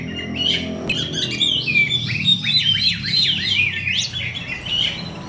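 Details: Song of an Oriental magpie-robin used as a lure for other birds, a varied, continuous warble of bright whistles, slurred upward and downward notes and short chattering bursts, with a sharp click near the start and low background hum.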